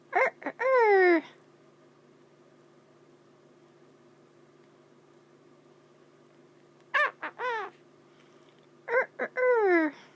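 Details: Caged pet Quaker parrot asked to do its rooster, giving its favourite imitation: three bursts of loud, harmonic, downward-sliding crowing notes with short lead-in squawks, indoors over a constant low hum.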